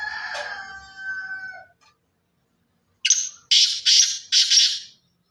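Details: Black francolin of pure Sindhi lineage: after a softer mixed sound, a rasping phrase of four harsh, buzzy notes delivered in a quick even rhythm.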